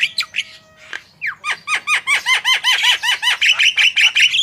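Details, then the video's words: Javan myna in full, vigorous song, used to prompt other songbirds; a few scratchy notes, then a steady series of looping, arched whistles repeated about three times a second, growing louder and harsher toward the end. "Jalak kebo gacor full masteran//cocok untuk pancingan burung anda !!"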